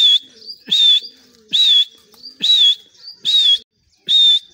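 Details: In a Pakistani cage doorway, a grey francolin repeats a piercing, slightly wavering high whistle about once every second, six loud notes spaced evenly with quiet gaps between.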